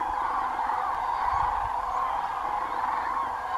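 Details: Big flock of cranes crossing the Doñana marshes in Spain on the way to their night roost, many birds calling at once in an unbroken mid-pitched trumpeting chorus, with faint low rumbles.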